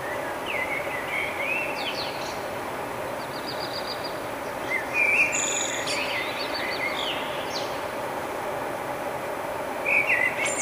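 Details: Morning song of a nightingale in May 2009, Budapest, Hungary, taken with a compact camera: scattered whistled notes, quick trills and a brief rattling burst midway, then a high twisting phrase near the end, with background hiss.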